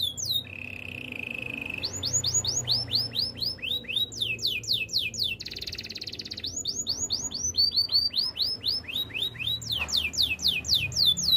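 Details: Canary song for training: a low rolling tour, then long runs of sharp downward-swept whistles, a buzzy rattling passage in the middle, more swept note series and fast trills at the end.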